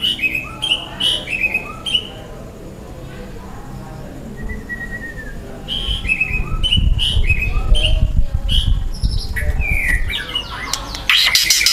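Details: Young wild white-rumped shama singing loud, dense 'tembakan' song: series of short clear whistles repeated in rhythm, a longer level whistle, then quick chirps and a harsh burst, with low rumbling background.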